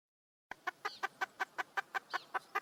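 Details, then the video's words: Red junglefowl female seeking a mate: rhythmic clipped clucks repeated roughly five times a second after a brief silence, even in loudness, with a faint higher squeak mixed in twice. "le bruit d'une poule sauvage,เสียงไก่ป่าร้องหาถู่หาตัวผู้,ສຽງໄກ່ປ່າຮ້ອງຫາຄູ່ຮັກ, poj qaib qus see"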